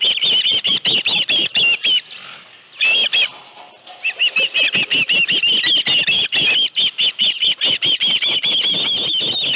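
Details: Rapid high-pitched chirping from an osprey at the nest with a live fish on a late afternoon in July 2018, with a two-second lull where the calling drops away before the chirps resume.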